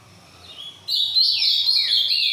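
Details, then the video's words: Green-winged saltator singing the boiadeiro song type: after a quiet start, a loud sustained whistled phrase that slides and wavers, then falls away, with faint background murmur. "trinca ferro boiadeiro"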